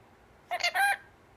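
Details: Pet female Mitred Conure indoors speaking a short phrase, likely "pretty bird": three quick raspy, harmonic-rich syllables in about half a second, the last one longest, with a person talking to the bird just before and after.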